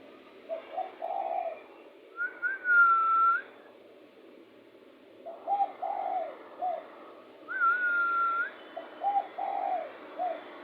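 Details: A spotted dove calls with a strong heated sound, used to lure birds. Repeated groups of soft, low, rolling coos alternate with a long, steady, higher whistled tone. Faint background hiss.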